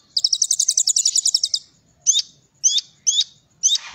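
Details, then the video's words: Cililin-filled song of a kolibri ninja: a fast, very high rattling trill of about fifteen notes, followed by four spaced, sharp hooked whistles. "Kolibri Ninja Isian Cililin"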